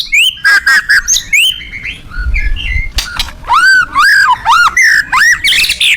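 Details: Captive white-rumped shama (murai batu) singing loudly: varied whistled and arched notes delivered in a rapid series of rising and falling phrases, with a brief low rumble midway.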